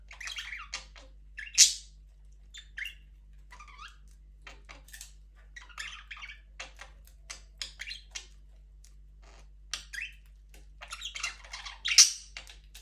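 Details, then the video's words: Budgerigars in a breeding aviary holding their first chick: sparse chirps and soft twittering notes scattered across the stretch, with two sharp louder squawks standing out near the start and the end. "First budgies chick 🐣 in #aviary #birds chirping sound"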